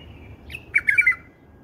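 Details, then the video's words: A bulbul sings a single melodious phrase in a style bulbul keepers adore. A sharp opening note leads into a quick run of fluty, gurgling notes. "هاي أللغه يعشقه كل مربين البلابل"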